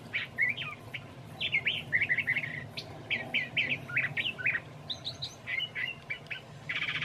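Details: Curve-billed thrasher in Santa Fe, New Mexico, singing on a mild March evening; rapid warbled and whistled phrases in quick succession, a brief buzzy note near the end, a meadowlark singing in the background.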